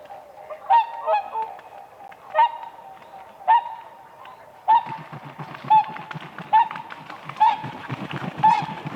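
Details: Whooper swans on a spring lake with ice, single clipped honks spaced roughly a second apart, later joined by a rumbling, scraping background.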